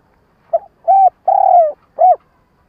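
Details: Lure spotted dove calling to provoke rivals for trapping: a brief low note, a steady coo, a long slowly falling coo and a final short arched note, clean and quiet.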